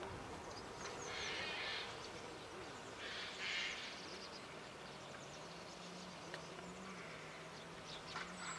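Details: Red-crested pochard (Netta rufina) at Veľké Ripňany, Topoľčany, Slovakia, giving two short, wheezy, sneeze-like calls about two seconds apart, over a steady low hum and faint background noise.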